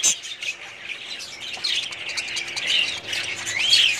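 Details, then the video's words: Many budgerigars in a breeding colony chattering together: overlapping high squawks and chirps, a steady busy warble, with a clear upswept whistle near the end. "budgies parrots colony"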